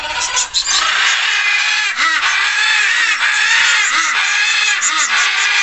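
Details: Several budgerigars chattering loudly together in a dense, continuous mix of warbles, squeaks and scratchy notes, with short rising-and-falling chirps repeating through the noise.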